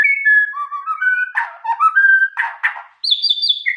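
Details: Song of a white-rumped shama, clear sustained whistles at changing pitches mixed with raspy churring bursts, then a high ringing whistled phrase at the end.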